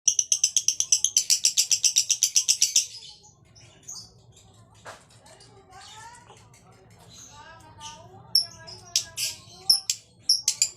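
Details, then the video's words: Male lovebird singing in the konslet style: about three seconds of fast, buzzy high pulses at roughly four per second, then softer scattered chirps and sharp squeaks. "Love Bird jantan Konslet."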